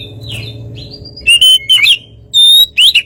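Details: Oriental magpie-robin song meant to prompt a reply from a less aggressive bird: a handful of clear, drawn-out whistled notes, spaced unevenly, over a low background hum.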